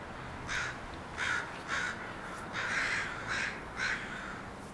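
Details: Crows of a brood at a house keep up harsh, repeated cawing, a string of short, raspy calls with some overlapping.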